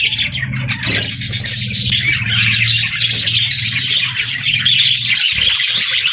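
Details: Pet budgerigars in a busy chorus of high-pitched chirping and warbling, many birds calling over one another, accompanied by a steady low hum that fades out near the end.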